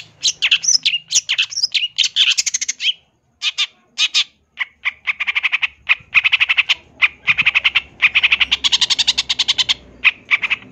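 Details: Champion long-tailed shrike giving a full song of fill-ins for tutoring: dense scratchy chatter and squawks, then a long stream of rapid buzzy notes repeated several times a second.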